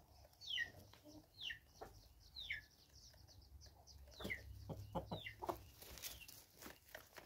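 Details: Free-range chickens recorded in South Africa in 2024, giving sharp downward-sliding peeps at irregular intervals over soft clicks and scratching sounds, with a few lower clucking notes toward the end.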